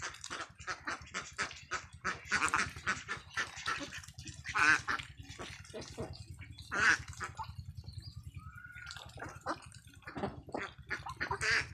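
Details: Ducklings jumping across a farm field, giving harsh, buzzy quacks in irregular bursts, some loud and clustered, over a steady low mechanical hum.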